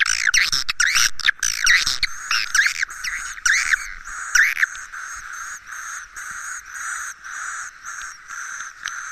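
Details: Swiftlet roosting lure sound, used to make swiftlets stay: a dense burst of overlapping chattering chirps, then a steady run of repeated buzzy twittering phrases, about one per second, over a constant background hiss.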